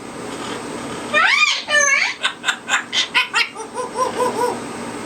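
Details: A pet African grey parrot at night, being tucked in for bed in the dark, gives rich, rising whoops, then a quick run of about six laugh-like pulses and soft, repeated chuckling notes, sounding like a monkey.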